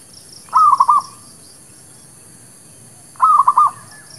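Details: Two staccato cooing bursts, each of four quick notes and about three seconds apart, from a Zebra dove, known as merbuk kampung or perkutut lokal, recorded to lure birds for trapping. Faint thin chirps run high behind.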